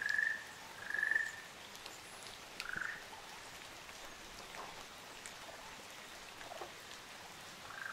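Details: Ruddy Kingfisher pair on Amami Oshima: two rolling mid-pitched trills a second apart, then a softer lower note, followed by quiet with scattered drips and a faint final call.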